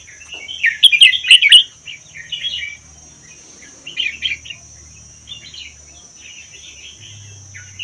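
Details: Red-whiskered bulbul from the Vietnam–Laos wilds, caged for one year, singing doubled 'berl' song to prompt other bulbuls; a loud jumbled warble first, then short chirpy phrases every second or so, high whine behind.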